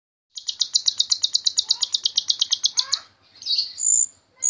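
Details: Jalak rio-rio myna song, used as tutor material for training other songbirds: a fast, even series of about twenty high, clipped notes, then a rough lower slur and two brief higher whistles.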